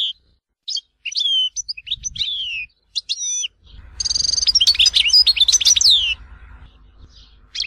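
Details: European goldfinch song in the Tizi Ouzou regional style from Algeria: separate sharp twittering notes and sliding whistles, then a dense rapid phrase of buzzy trills and tumbling high notes ending in a falling slur, with faint low rumble.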